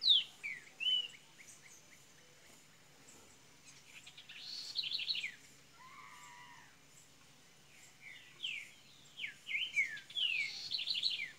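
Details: Double-collared seedeater from Minas Gerais, Brazil, opening into song: bursts of quick high descending chirps and sweeping notes with pauses, plus a lower wavering whistle midway and faint background hum.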